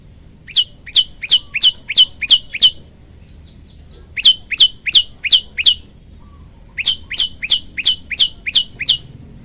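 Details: Male olive-backed tailorbird calling to a female, singing three loud bursts of six or seven sharp, high chipping notes, fast and evenly spaced, with short pauses between bursts.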